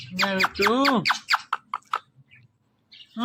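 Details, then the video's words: Pet Indian ringneck parakeet talking: two loud nasal, drawn-out harmonic syllables, then a quick string of short clipped notes that fade into near silence before another call begins. "One Of The Cutest IRN Talking Parrot"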